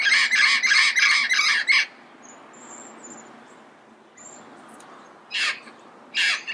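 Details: Red-crowned amazon recorded early morning in Pasadena: a fast run of about six harsh, raspy squawks in under two seconds, then a quiet pause with faint high chirps from other birds, and two more rough squawks near the end.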